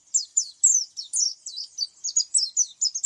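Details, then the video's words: Oriental white-eye giving a fast, high, thin twittering song, a steady run of short descending chirped notes about four per second, with no other sounds. "SUARA kicau pleci"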